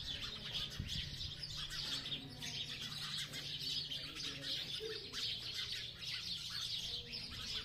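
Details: Sparrows chirping (chidiya ki awaaz): a dense, steady chatter of many overlapping high chirps from a group of birds, with a few lower notes and background noise.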